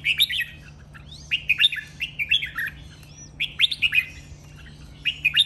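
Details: Red-whiskered bulbul training song, sharp and melodious: a string of short chirpy whistled phrases, repeated about every second, a faint thin upslur between them and a low steady hum.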